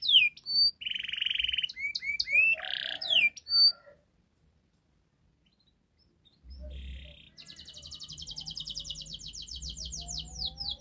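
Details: Canary master song for coaxing a non-singing canary: varied whistled slurs and harsh buzzes, several seconds of silence, then a long, accelerating high trill with a faint low hum beneath.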